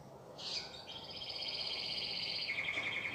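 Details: Domestic canary, newly kept at home, gives a quieter, fast, even trill with a brief sharp onset, held steady and then dropping slightly in pitch near the end.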